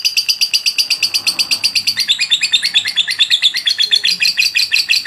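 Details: Lovebird singing persistently for a long stretch, for use in training: a loud, steady stream of sharp, high chirps at almost three per second. Partway through, the pitch shifts into a slightly lower, buzzier pattern. No other sounds are heard.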